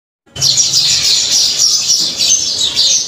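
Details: House sparrows singing loudly while enjoying the rain give a steady stream of bright, overlapping chirps, several each second, with a soft hiss running underneath.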